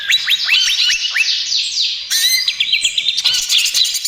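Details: Greater green leafbird (cucak ijo), gacor trotol style song meant as a lure for other birds: rapid series of rising whistled notes, then a sudden change to dense buzzy trills and chattering.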